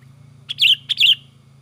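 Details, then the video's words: Lively Sooty-headed bulbul song: a pair of bubbly, gurgling two-part notes about half a second apart over a steady low electrical hum. "Suara Burung kutilang gacor emosi"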